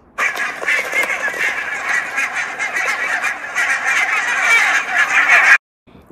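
A goose gives a steady run of harsh, nasal honks, overlapping and continuous for about five seconds, probably several birds calling together.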